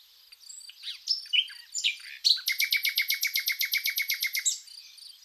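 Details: A common nightingale sings in spring at Zagorochoria, Epirus, Greece, with crickets: a few varied whistles and chirps, then a fast run of about sixteen loud, identical notes, roughly seven a second, over a thin, steady high hiss.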